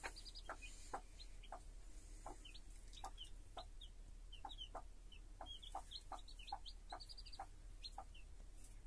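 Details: Hen with her brood of chicks: many small, high, downward-sliding peeps, some in fast runs of three or four. Steady background hiss and faint tapping beneath.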